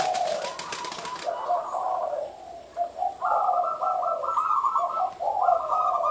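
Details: Zebra dove (merbuk) giving a derak-style call: broken, bubbling coos in short rolling bursts around a mid pitch, alternating lower and higher notes. A loud rustling noise runs through the first second.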